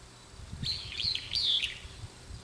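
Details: Brown-eared bulbul on an antenna, calling out as though speaking to companions; two loud, shrill, squealing phrases with sliding, warbled notes in quick succession, and faint low background noise.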